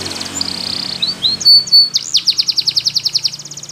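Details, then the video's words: Canary training song for young birds: a soft buzzy opening, two clear high whistles, then a long rapid pulsed trill, over a steady low hum. "Belgian Canary Training For Preschool Canaries Sing Diligently"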